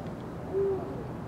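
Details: Eurasian eagle-owl on 16 February 2023 uttering one brief, low, even-pitched hoot mid-clip against a murmuring low-frequency background.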